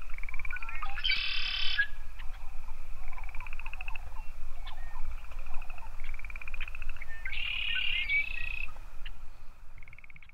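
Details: Red-winged blackbird (Agelaius phoeniceus) song, Yellowstone National Park: two harsh, buzzy trills about six seconds apart, each led by short clipped notes, over a steady pulsing frog-like trill and low rumble.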